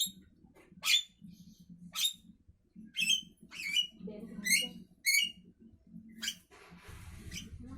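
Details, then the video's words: Javan myna singing in the morning, a steady run of loud, harsh, squeaky notes with twangy metallic tones about once a second, over a low murmuring background that ends in a hiss. "Burung jalak kebo pagi Hari"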